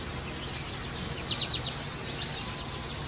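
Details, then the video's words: White-eye (pleci) song intended to get a caged bird singing and opening its beak: four bright, high, down-slurred twitter bursts spaced well apart, with quiet hiss between. "Terapi pleci supaya cepat bunyi dan buka paruh|| Pancingan pleci"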